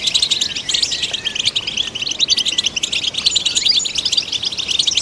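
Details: European goldfinch song for stimulating goldfinches: a fast, continuous jumble of high chirps, liquid twitters and brief buzzes, even in loudness throughout.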